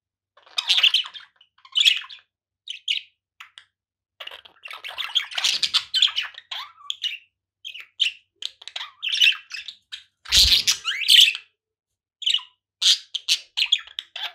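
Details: A budgerigar chatters in bright, scratchy chirps and warbles, bursting in quick irregular phrases.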